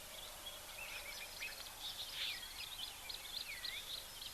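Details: Red-faced mousebirds at an African waterhole on 13 June 2024 give faint, high whistled notes, some falling and slurred, in loose repeated bursts over a steady background hiss.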